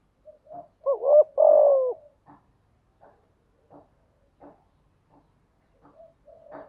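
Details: One spotted dove song phrase, used to coax newly caught doves into cooing: a quick double coo and a longer, descending coo. Soft, evenly spaced clicks follow about every 0.7 seconds.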